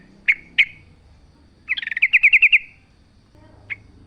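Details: Wild sooty-headed bulbul used as a lure, giving two sharp chirps, then a brisk run of about eight bubbly repeated notes, then further single chirps.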